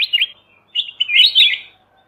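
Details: Kutilang emas mata putih bulbul on a songbird-training master recording, singing a quick run of liquid, bubbling whistles. The run breaks after a short gap and resumes as a longer, rolling warble that fades out.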